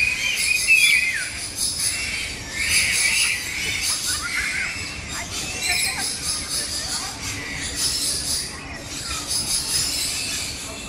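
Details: Flock of lories and lorikeets at Jurong Bird Park, Singapore, screeching in harsh, shrill overlapping bursts forming a constant grating chatter, with faint voices in the background.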